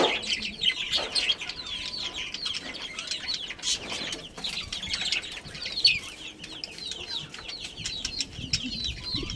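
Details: Chirping budgerigars from a breeding pair, giving a steady stream of short high warbled notes and trills with irregular rhythm and light background noise.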